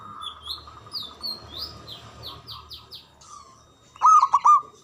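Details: Local Javanese zebra dove with a big, loud voice and long breath, used as a lure to stir silent or lazy doves into singing; high twittering chirps from other birds, then a loud, rolling, stuttered coo burst at the end.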